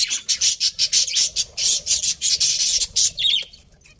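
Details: Breeding pair of budgerigars at home, loud harsh chirps pulsing in quick regular beats about four a second, ending in a softer twittering trill.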